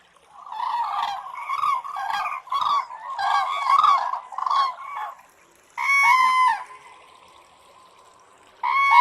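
A crane gives a rapid series of harsh, rolling honks for about five seconds, then a loud, ringing trumpeted bugle, with another starting at the end.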